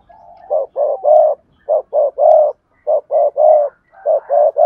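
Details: Spotted dove acting as a lure, cooing in the double-voice style with two endings. Blocky coos come in steady triplets, two short then one longer, repeated about every second and a half.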